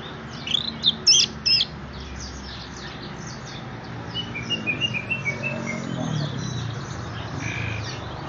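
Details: Caged, leg-ringed orange-headed thrush at a bird shop in Graha Raya, Serpong, singing actively: a loud burst of looping, varied whistled notes in the first seconds, then softer chattering phrases over steady background noise.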